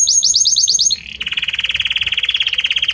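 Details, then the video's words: Varied song of a Belgian canary: a string of seven quick high swooping notes slides down into a lower, fast, pulsing trill held steadily for nearly two seconds. "Magnífico Como canta este Canário Belga!"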